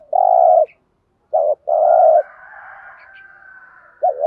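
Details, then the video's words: Lure spotted dove provoking others to fight and answer. It gives long steady coos and a short bent note, with a high, thin whistle-like tone running underneath after the second coo. "chim cu gáy mồi thúc rút bổi gáy theo rất cao"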